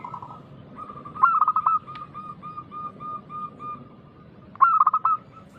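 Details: Local zebra dove in full loud song, played as a lure so that other doves reply. A vibrating, stuttering coo phrase fades into a run of quieter repeated coos, then a second strong phrase starts near the end.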